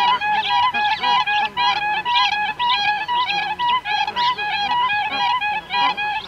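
Siberian cranes, adults and young, give high, fluting, bugled calls that overlap in a busy chorus. Nasal honks of bar-headed geese mix in throughout.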